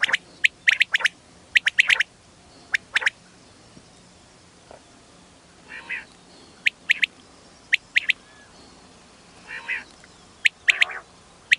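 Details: A calling female common quail gives crisp, high, clipped notes in quick clusters, with occasional softer nasal buzzy bursts between them, against a faint steady background hiss.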